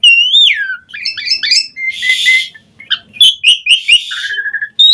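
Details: Asian pied starling lure song: a falling whistle, chattering notes, a harsh rasping burst, then a busy medley of short whistles and squeaks.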